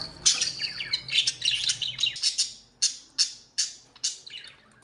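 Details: Budgerigars kept as home-bred pets, chattering in a jumble of high scratchy chirps and squawks, then a run of separate sharp chirps about twice a second, with a low hum early on.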